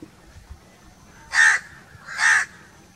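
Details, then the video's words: Two loud, raspy caws from a crow, spaced nearly a second apart, against a quiet background. "1 hour crow crowing sounds - one hour crow nonstop crowing voice - natural crow bird sounds"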